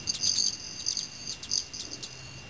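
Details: Shimmering, metallic wing ringing from male Broad-tailed Hummingbirds flying in the evening in Teller County, Colorado, before bed; a continuous buzzy trill breaks into quick stuttering pulses that fade by the end.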